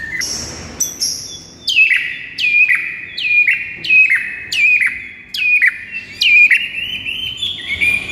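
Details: White-rumped shama singing a morning training song used as lure: a series of about eight sharp downslurred whistled notes, each dropping into a level tone, repeated roughly every 0.7 seconds.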